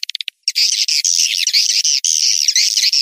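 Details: Tuyul Sakti swiftlet lure call for attracting swiftlets: a few quick high clicks, a short pause, then a continuous stream of shrill, buzzy twittering chirps with slight warbling rises and falls.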